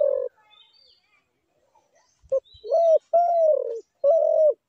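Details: A long coo from a spotted dove trails off. After a pause come a short clipped note and a string of three mellow, slightly falling coos in quick succession. Distant high bird chirps are also heard.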